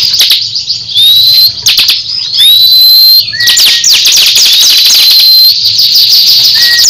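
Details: Caged crescent-chested babbler in a fierce song contest with another bird: shrill, rapid-fire chatter mixed with rising whistled slurs and short lower downslurred whistles, with no pause in the singing.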